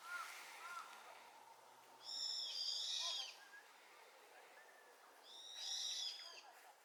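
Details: Brown-eared bulbul answering its flock's chorus: two loud, harsh, screechy bursts with stacked harmonic overtones, about three seconds apart, between fainter distant calls and a soft background hiss.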